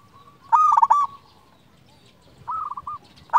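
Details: Local zebra dove, a singing bird kept as a lure to set other zebra doves calling and to rouse quiet or stressed birds: two bursts of rapid, rolling, pulsed cooing notes near one pitch, with soft low background rumble.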